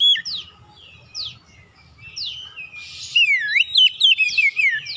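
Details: Magpie-robin song used to provoke other birds into singing: a few soft scattered notes, then a loud fluent run of whistled, looping phrases in the final two seconds.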